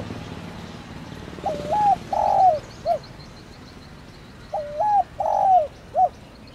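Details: Spotted dove uttering 'thổ đồng' calls to stir a decoy: two clear low phrases, each a short coo, a long rolling purr and a crisp end note, about three seconds apart, with faint ticking behind.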